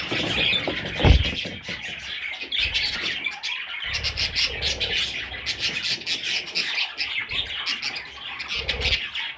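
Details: Budgerigar chicks chirping and squawking in an ongoing high chatter, broken by a few low knocks and bumps.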